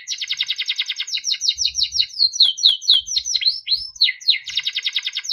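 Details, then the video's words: A yellow Timbrado canary sings melodic phrases: a fast rattling trill, a chain of swooping slurred notes, then the rapid trill again at the end, with soft low thuds beneath. "Yellow canary singing video Timbrado canary singing beautiful melodic songs"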